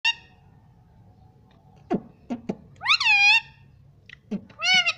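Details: Pet parrot mimicking the words "mummy papa": a short nasal harmonic call, then a few soft clicks, followed by two loud, bending, voice-like syllables, the second near the end.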